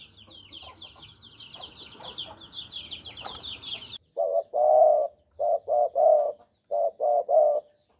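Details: Javan spotted dove song used as a trapping lure: after four seconds of twittering from other small birds, mellow low coos arrive in short paired and triple phrases, soft hollow notes repeated with brief pauses.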